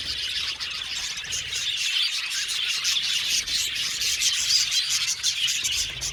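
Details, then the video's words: Aviary flock of budgerigars producing a constant high twittering chorus, rapid overlapping chirps with a few clearer whistled notes rising above. "Beautiful budgies chirping sound | Budgies sound for lonely budgies"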